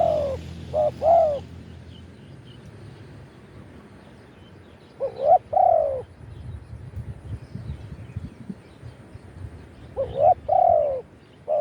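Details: Spotted dove crowing, taped live to call wild doves: three widely spaced phrases about five seconds apart, each short clipped coos followed by a fuller falling coo, with low rustling between.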